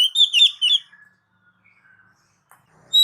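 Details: Oriental magpie-robin, kept as a lure for pet birds, giving a short burst of bright, rich whistled notes with quick slurs, followed by a faint trailing note and a fresh sharp whistle at the end.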